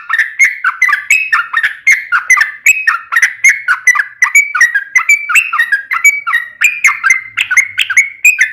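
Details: Trucukan, the sooty-headed bulbul, singing a long nonstop 'ropel' string used as a lure to set other birds singing; clear whistled phrases that drop then climb, delivered rapidly and evenly throughout.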